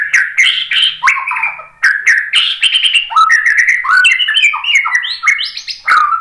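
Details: White-rumped shama singing to provoke other birds into song, a dense, varied stream of loud whistles, warbles and quick slurred notes rising and falling without pause, with sharp ticking clicks between phrases.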